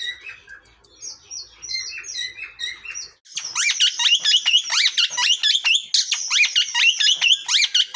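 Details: Cockatiel chatter: a few soft high chirps, then a sudden loud stretch of rapid harsh notes that sweep sharply downward, several per second and overlapping.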